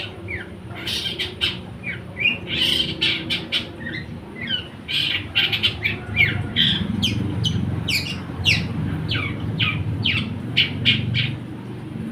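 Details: A long-tailed shrike, called a trotol fighter, delivers a continuous run of rapid scratchy, squawking and chirping notes in short bursts with brief gaps, over a low rumbling background.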